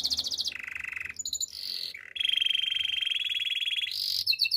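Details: Spanish timbrado canary song for training: long steady metallic trills at different pitches, one low and rattling, one high and bright, changing abruptly from one tour to the next.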